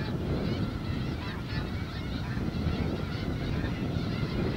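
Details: A huge Snow Goose flock on a newly sprouted wheat field in the Skagit Delta, Washington: constant overlapping honking from thousands of birds, partly masked by deep wind and engine-like rumble.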